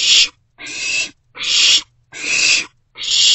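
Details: Owlet with a parent-delivered vole inside an owl box, night of 27 March 2024; four loud raspy hisses, each about half a second long, alternate evenly with short gaps.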